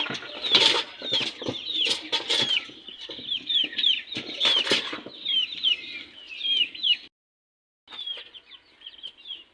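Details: Chicks fighting: a dense chorus of loud, shrill, down-slurred peeps repeats rapidly, mixed with wing flapping and scuffling thumps. The sound drops out briefly near the end, then softer peeping resumes.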